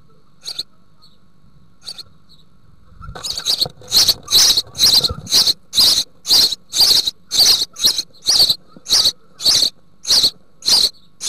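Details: House sparrow family at a nest box in the Altmark, Germany, 16 June 2019, with nearly fledged young being fed large green bush-crickets by the female. Faint chirps at first, then loud harsh chirps repeated about twice a second.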